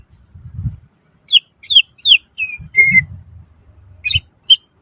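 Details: Cucak ijo, the greater green leafbird, in gacor nembak isian song: a few sharp descending whistled notes, one drawn-out even whistle, then two high chirps, with soft low rumbles between.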